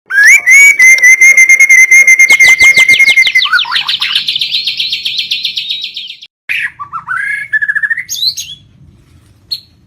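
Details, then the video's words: White-rumped shama from Lampung singing vigorously with a complete isian repertoire: a loud, long, steady high whistle, then rapid buzzy trills, a short pause and a few rising and falling whistled phrases. "SUARA BURUNG MURAI BATU LAMPUNG ISIAN KOMPLIT GACOR"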